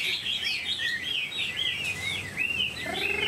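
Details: Tame caged Chinese hwamei pouring out a continuous, fluid song of bright looping whistles that rise and fall quickly, ending on a fuller downward-sliding note, over a faint low background hum.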